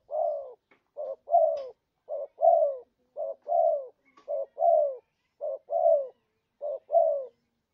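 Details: Lure call of a spotted dove for trapping, loud and clean: a run of low paired coos, each a brief note then a longer downward-sliding one, about one phrase per second.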